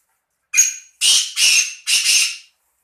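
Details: Harsh, rasping Black francolin phrase of five notes, an opening short squawk then two linked pairs of broad grating notes within two seconds, with no other sounds.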